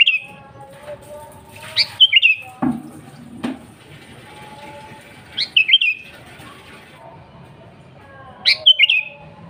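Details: Sooty-headed bulbul singing actively, meant to call rivals: repeated bubbly whistled phrases with sharp rising starts, about three seconds apart, plus a couple of dull knocking thumps early on.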